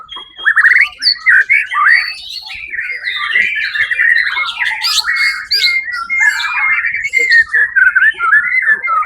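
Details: White-rumped shama, champion at the Suara Agung competition on 1 October 2023, pours out a long, continuous, varied song of sweet whistles, buzzy trills and fast chattering notes, barely pausing throughout.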